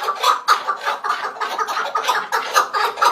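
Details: Chukar partridge calling in a dense, echoing stream of overlapping clucking notes, several beats a second, with strong swells in loudness and a hissy, reverberant background.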